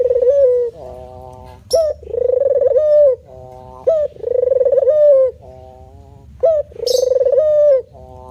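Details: Male spotted dove cooing steadily in manggung style: three cycles of a rough, stuttering low note, a sharp short rise and a sustained, gently falling coo, evenly spaced.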